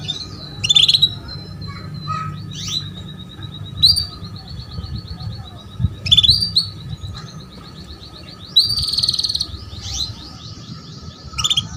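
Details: Canary hen luring a male to sing: sharp rising chirps each leading into long, even, high pulsed trills, repeated about every two to three seconds against steady low hum.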